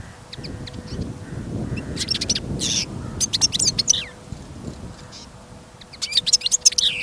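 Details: Caged European goldfinch on trial listening, singing outside on a snowy, windy day during a trapping trip: scattered tinkling twitters and a couple of buzzy notes, with quiet gaps, wind noise and a faint steady hum.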